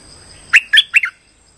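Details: Streak-eared bulbul lure call used for trapping birds: three quick bright chirped notes, each with a sharp upward-sweeping onset and slurred fall, delivered within half a second against a quiet background.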